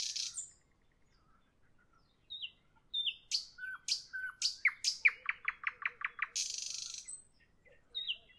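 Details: Evening nightingale song with varied phrases: thin high whistles, sharp downslurred notes, a quick run of repeated chips, then a buzzy rattle, separated by pauses.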